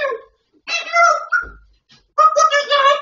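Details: Grey parrot speaking in a clear, voice-like tone: a short word, then two longer sustained phrases with rich harmonics separated by a brief gap.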